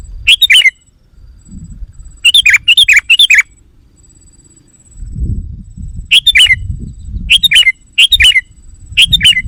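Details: Sooty-headed bulbul call played to lure wild birds: bursts of loud, harsh chattering notes in quick clusters of two to four, separated by pauses, over low rumbling background noise.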